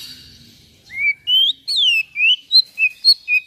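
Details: White-rumped shama song for stimulating other shamas: a run of about eight high clear whistled notes, rising and falling, delivered in quick succession.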